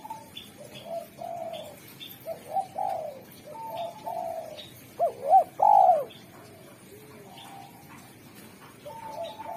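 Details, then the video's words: Derkuku spotted dove with a sharp, clean, tuneful voice for calling wild doves, repeating soft coos, a loud triple phrase of arched notes near five seconds, then quieter cooing; distant bird chirps throughout. "Derkuku super gacor suara tajam, jernih, dan merdu pandai memanggil tekukur alam"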